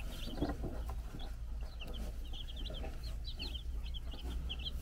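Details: A flock of baby chickens aged four days, watched by a brood hen on a farm in the Czech Republic, keeps up continuous bright, high peeping notes above a steady low hum.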